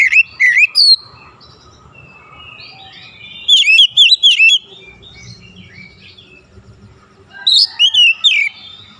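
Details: Oriental magpie-robin singing in morning sunlight: repeated bursts of quick, bright whistled and chipping notes, rising and falling, with soft warbles and low rumble between.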